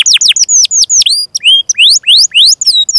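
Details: Canary in continuous song, recorded to tutor young canaries and birds that have gone quiet: high whistles slurring downward, then a series of rising swept notes, delivered quickly and unevenly.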